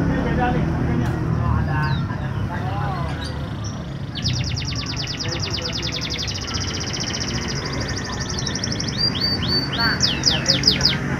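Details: Canary singing to provoke silent canaries into song: after a quiet, noisy start, long high rattling trills run steadily from midway, then end in a few sharp downward-slurred whistles, with constant low background hum.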